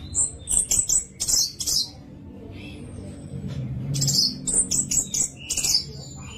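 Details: Orange-headed thrush in clear voice, played to make other thrushes sing: bursts of very high chirping phrases, a quieter gap with low background noise, then renewed fast high twittering notes.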